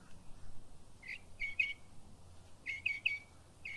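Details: A northern mockingbird in Florida sings two quick bursts of sharp, chirpy notes, each a rapid cluster of three or four, over a soft background hiss.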